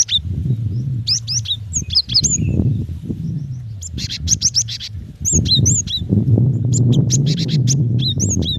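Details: High chirps from a female cinereous tit summoning the male, about four notes a second in irregular bursts with pauses, over a loud low rumble.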